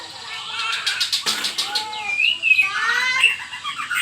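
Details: White-rumped shama song used as a lure to make a reluctant bird answer: clear rising and falling whistled phrases mixed with hissing shooing sounds and nearby rustling.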